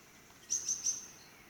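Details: Black-naped monarch giving three quick, high, clear notes in a brief even run, with faint background hiss.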